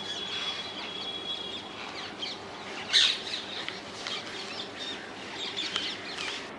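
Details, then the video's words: Wild rose-ringed parakeets in the Netherlands: scattered faint harsh screeches through a hissy background, with one loud, sharp squawk burst near the middle and a few thinner chirps afterward. "Indian ringneck parrots in the wild, ringneck parakeets sounds"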